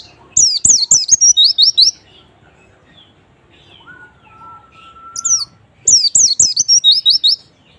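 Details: Sharp, high white-eye chirps delivered in fast runs of around eight notes, separated by a quiet gap holding a faint steady mid-pitched whistle; a lure to make lazy white-eyes start singing.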